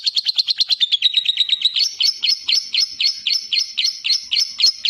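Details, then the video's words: Ngekek from a lovebird, beginning as quick high trilled notes that slow into broader, buzzier chattering pulses about four times a second. "Lovebird Latah Ngekek Panjang dan Jernih"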